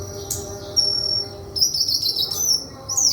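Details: Song of a White-throated flycatcher, a long thin steady whistle followed by a dense chattering burst of high slurred notes and a final rising squeak, over faint low hum.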